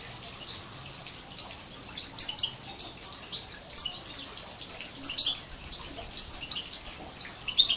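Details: Major goldfinch and canary hybrid singing, recorded in 2012: short, high chirping notes repeated about every one to one and a half seconds over a faint hiss.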